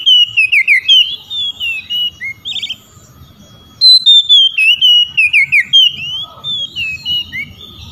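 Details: Oriental magpie-robin singing to provoke rivals, which answer back. Rapid sequences of loud, sweet whistles swoop downward and upward, pause briefly, then resume in a second energetic run of varied notes.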